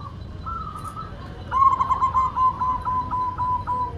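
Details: White zebra dove, perkutut, heard in a steady run of soft, evenly pulsed coos on one pitch, preceded by a fainter wavering coo.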